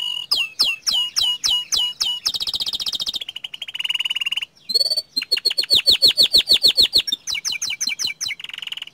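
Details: Young canary in full, lively song, alternating quick repeated chip-like notes with dense buzzy rolls and sweeping whistled trills. Tours shift rapidly, each lasting one to two seconds, against a quiet background.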